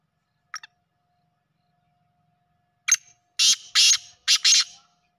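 A black francolin gives a loud, grating call: a short clipped note, then four harsh rasping bursts in quick succession, with a faint steady hum beneath.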